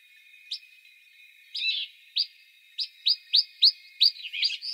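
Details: Western rock nuthatch (Sitta neumayer) in İzmir, Turkey, in March 2020, giving loud, sharp, upslurred notes, about three a second in an uneven series, over a steady high background hiss.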